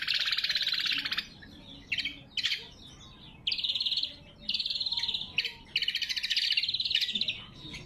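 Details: Natural, unedited song of a lesser green leafbird, used as a lure and as a training song: long, dense, high rattling trills broken by short sharp chips, several runs in a row.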